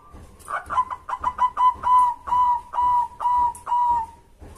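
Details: Local zebra dove cooing, used to train and provoke other doves into singing. A rapid stutter of short notes slows into about six longer, evenly spaced coos, each slightly falling at the end.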